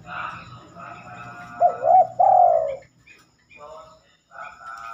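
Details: Spotted dove singing after dark, a rare behaviour: one deep cooing phrase of a quick wavering double note then a long smooth coo. Other tonal sounds and soft murmuring are heard before and after it.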